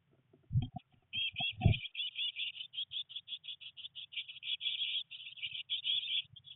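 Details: Three Eurasian blue tit chicks, nineteen days old in their nest box amid heavy rain and first attempts at flight, start with a few dull thumps, then keep up a steady run of quick, high, scratchy chirps.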